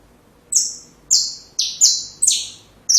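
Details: Training song of a saffron finch for young birds: five loud, downward-sweeping high chips at roughly half-second intervals, each ringing briefly, followed by the start of another.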